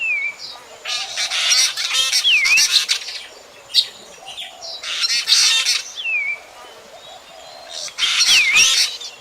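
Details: Harsh rasping chatter bursts from a black drongo, each followed or preceded by a quick dipping-and-rising whistle, repeated about four times. Recorded in 2024 for night bird trapping.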